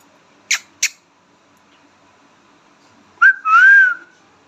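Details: Two sharp clicks, then a pet Indian ringneck parrot talks, giving a quick rising chirp followed by a long, smooth whistled tone that arches up and down. The room is otherwise quiet.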